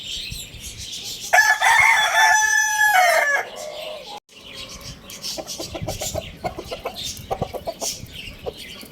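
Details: Lohmann Brown rooster at Lalukhet bird market crowing loudly: one long, strained, harmonic-rich crow of about two seconds, held steady then dropping at the end, followed by scattered clucks and busy chirping of small birds.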